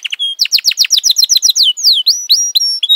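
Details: F1 canary singing: a fast series of bright, descending chirped notes about four per second, then longer sweeping whistles and clear sustained tones near the end.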